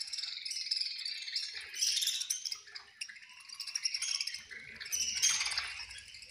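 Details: Budgerigars chattering at feeding time: overlapping high squeaks, chirps and warbles in pulsing bursts, louder around the second and fifth seconds, with low knocking sounds toward the end.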